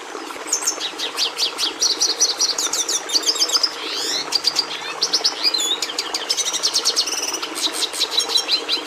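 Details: Red siskin (Carduelis cucullata) delivering a fast, unbroken song: sharp high trills, dry rattling bursts and looping whistled slurs packed tightly together for nearly nine seconds.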